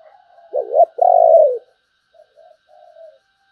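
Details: Close, loud spotted dove song in the sấm bầu style: two strong, deep hollow coos, then three softer, short trailing coos fading away, with a quiet background.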